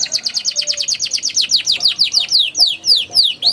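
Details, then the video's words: Canary song for training young birds to sing: a steady rapid series of high descending chirps, about eight per second, slowing gradually into longer, fuller downslurred notes toward the end. "PANCINGAN KENARI PAUD NGERIWIK NGEROLL GACOR EMOSI EFEKTIF UNTUK TERAPI KENARI MACET BUNYI"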